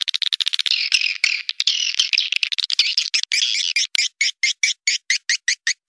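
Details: Swiftlet call played to attract swiftlets to a bird house: dense rapid buzzy chattering clicks, then evenly spaced short rasping pulses about five per second.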